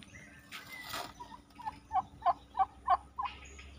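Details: Turkey calling in a rapid run of about seven pulsed, gobbling notes that grow louder toward the middle, after a brief broad burst of noise, with a constant low hum in the background.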